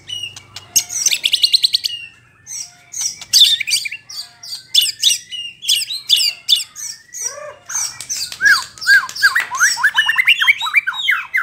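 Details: White-rumped shama singing to provoke rival shamas: a dense, varied run of sharp whistles, rapid trills and descending slurred notes, with a brief pause near two seconds before the rich phrases resume.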